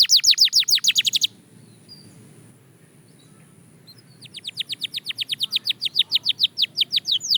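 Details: Belgian canary practicing its song: a quick burst of trilled notes, a quiet gap of about three seconds, then a long run of rapidly repeated high whistles.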